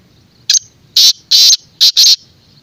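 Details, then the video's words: Black francolin gives a loud, harsh, rasping phrase of five grating notes: one short clipped note, then four longer ones in quick succession, with little else audible. "Black teetar(francolin)sound | کالا تیتر کی آواز"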